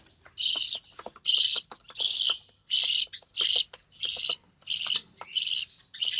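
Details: Captive budgerigar chick of the recessive pied variety during feeding by its mother; loud, steady, hoarse rasping bursts repeated almost every second, with faint clicks and ticks between them.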